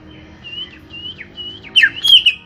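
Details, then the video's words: A greater green leafbird with a small body sings three soft, drawn-out whistles that dip at their ends, followed by a loud, rich burst of tangled slurred and buzzy notes. "Setting Cucak Hijau Body Kecil"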